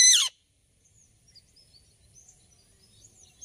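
An Alexandrine parakeet gives one loud, harsh screech lasting a split second. Faint, high chirps of other small birds follow over a quiet background.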